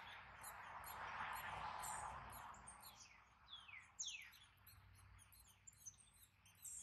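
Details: Gray catbird hatchlings being fed by their parents give thin, high chirps and quick descending squeaks, several each second; a soft rushing noise fills the first few seconds.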